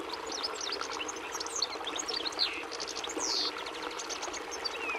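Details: European goldfinch song: quick, high, twittering chirps and short slurred notes, scattered and overlapping, over a steady rushing water-like background noise.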